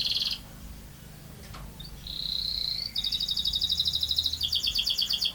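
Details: Canary song with a short high trill, a pause, a smooth whistled note, then steady pulsed high rolls repeating several times a second; low background hum.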